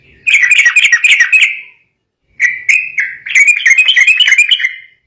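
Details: Sooty-headed bulbul in emotional, agitated song that sets rival birds singing: a long rattling, bubbly phrase, a pause, then a run of clear whistled notes flowing into fast chattering warbles.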